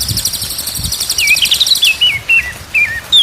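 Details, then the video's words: White-rumped shama song from a tutor recording to make birds sing: a dense high buzzing trill gives way to a run of zigzag whistled notes, about three a second, ending on a higher clear whistle. "MASTERAN MURAI BATU SIANG dan MALAM"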